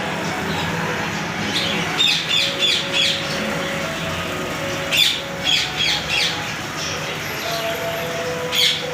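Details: A Sun conure at a bird seller in Multan gives harsh, piercing squawks in short bursts of three or four.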